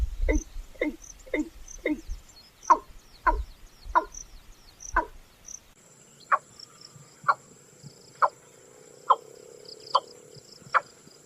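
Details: Watercock, vocal male in breeding season, giving liquid gulps likened to a water bottle emptying: a steady series of short hollow notes, faster at first, then about one per second, with a faint high hiss.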